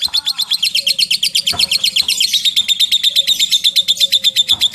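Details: A long ticking chatter, ngetik ngekek, from a lovebird: quick, sharp, high pulses in a regular rattle that grows harsher partway through, with occasional soft clicks.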